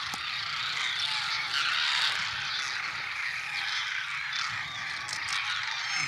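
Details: A flock of greater white-fronted geese in Gujarat, India, with Demoiselle Cranes nearby, gives a dense, continuous chorus of high, yelping honks, many birds calling over one another without pause.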